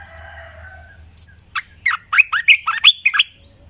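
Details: {'caption': 'Bubbly, chattering phrase of about eight rapid warbled notes from a red-eyed bulbul used as a decoy sound, rising slightly at the end, after a faint steady background whistle.'}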